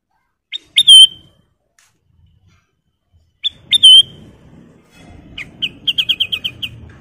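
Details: Black-capped Bulbul tutor song: two clear whistled phrases, then a quick run of about eight bright, even notes, over a low background rumble.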